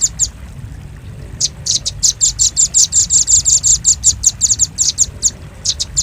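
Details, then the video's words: Red-billed rambatan, or velvet-fronted nuthatch, played as a trapping lure: a few isolated sharp chips, then a steady quick series of loud, high, clipped notes, roughly three to four per second. "Suara pikat burung rambatan paruh merah paling ampuh"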